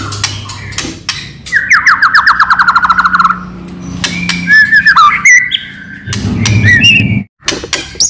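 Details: White-rumped shama song used as a lure to set other shamas singing, with loud clicking notes: a fast descending trill, whistled sweeps and sharp clicks, over a low humming background.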